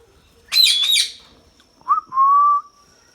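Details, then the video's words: Talking Indian ringneck parakeet giving a double harsh rasping screech, then a short chirp and a steady, slightly rising whistled note held for about half a second. "indian ringneck parrot talking"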